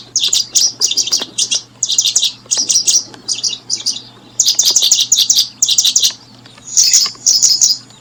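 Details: High, thin chirping from a brooding paddyfield pipit, grouped in quick bursts of three to five notes almost continuously, a steady low hum in the background.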